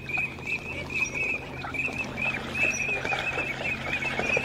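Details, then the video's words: Teal calling in a flock: rapid, repeated, high whistled notes run continuously over a low background hum, with occasional fainter higher peeps. "صوت الحذاف الشرشير صوت البط"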